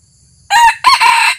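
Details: A new decoy red junglefowl on its first outing to lure wild birds crows loudly: a harsh rasping burst, a brief gap, then a longer, strident second part with a ringing tone.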